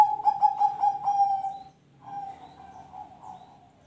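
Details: Zebra dove song, used to prompt other birds to sing: a loud cooing phrase of about six quick, stuttering pulses on one mid-pitched tone, followed by a softer, drawn-out coo after a short pause.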